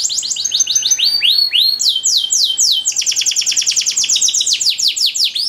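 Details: Canary training song with elaborate turns: cascades of downward-sweeping whistles speed into dense rapid trills, with repeated short high slurs layered above.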